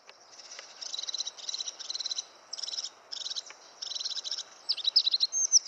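A crested tit gives high, buzzy, purring trills in short bursts, about a dozen in under six seconds, over a quiet background.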